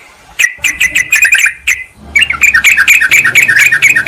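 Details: Sooty-headed bulbul lure call used to draw a wild rival into calling: clear bubbly whistled notes around mid-high pitch, repeated rapidly in short bursts with brief pauses between phrases.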